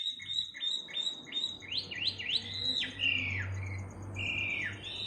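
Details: Bird at midnight singing loud swooping whistles, rising then falling in quick, uneven phrases, above a low hum and a steady high ticking insect chorus.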